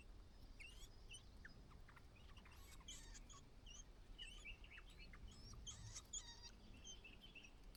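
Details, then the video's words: A White-browed laughingthrush mother urges her lone chick to fledge from the nest. Quiet scattered chirps and short twisting notes, unevenly spaced, are heard over a soft steady background rustle. "The only child White-browed Laughingthrush fledges on its final day.独生子白颊噪鹛，最后一天离巢，鸟妈妈在外面叫它出来"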